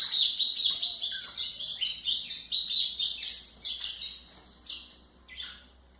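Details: Training song of a White-throated seedeater for teaching young birds: rapid high chirps and short buzzy trills tumble together, loud at first, then thinning into a few separate notes near the end.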